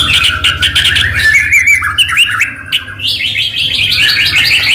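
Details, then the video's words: White-rumped shama singing as a lure to make other shamas answer: fast chirping and trilled phrases at high pitch, with low background hum in the first second. "murai batu gacor AMPUH buat PANCINGAN murai batu agar bunyi"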